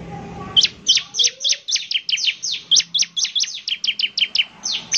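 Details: Bar-winged prinia singing actively, a fast string of crisp, high notes sliding downward, about four per second, continuing without pause.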